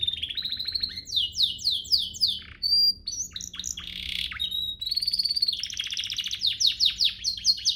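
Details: Canary master song intended to make birds sing well: mixed high sweeping notes, a brief pure whistle, scratchy varied phrases, then a quick run of descending repeated notes.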